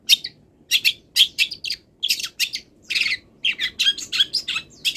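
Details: Long-tailed shrike still in moult, singing a full song packed with mimicked wild-bird calls: bursts of harsh, scratchy chattering notes and short sharp whistles, delivered in clusters about every half second with brief pauses, against a quiet background.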